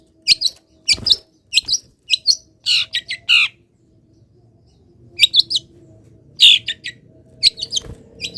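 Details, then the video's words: Long-tailed shrike kept caged, singing happily in morning sun after misting; short clusters of sharp chirps and harsh buzzy notes, a pause, then more chattering bursts. "BURUNG CENDET SANGAT BAHAGIA KETIKA DI EMBUNKAN DAN KENA MATAHARI PAGI - CENDET GACOR FULL ISIAN"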